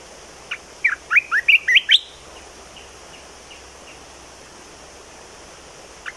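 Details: A bulbul sings one phrase of seven quick liquid whistles that climb in pitch, followed by faint echoing notes and quiet background.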